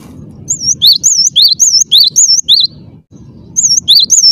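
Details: Gelatik batu (Cinereous tit) in full, clear song: loud, high whistled phrases with a rolling wavy shape, repeated about four times a second in two runs broken by a brief pause; low rumble underneath.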